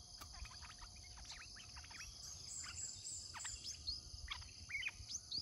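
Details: Decoy red-whiskered bulbul in a cage, used to attract wild birds, delivers scattered sharp upslurred whistles and chirps, some in quick pairs, while insects drone steadily at high pitch.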